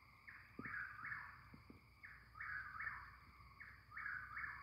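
A Chuck-will's-widow repeats its rolling, whistled chuck-will's-WID-ow phrase three times, about every second and a half, over a steady high insect hum.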